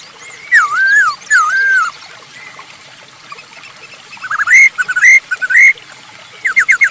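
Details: Masked laughingthrush singing as a lure for other birds: two loud wavering whistles, a quiet gap, then a series of rising upslurred whistles and a quick closing run of short notes.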